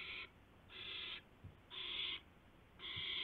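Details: Owl filmed by a live nest camera at 2:51 AM, 2 April 2016, during a gopher delivery to another owl; four loud, noisy rasping screeches, each about half a second long, separated by short pauses.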